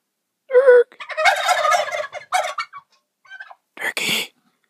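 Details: Turkeys in the morning: a loud, harsh, rapid gobbling burst after a short nasal note, then a few shorter gobbling fragments trailing off.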